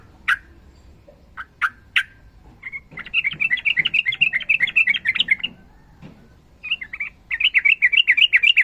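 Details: Sooty-headed bulbul in long rapid-fire fighting song: a few sharp separate notes, then an extended fast warbling trill of even repeated notes, a short break, and the trill resuming.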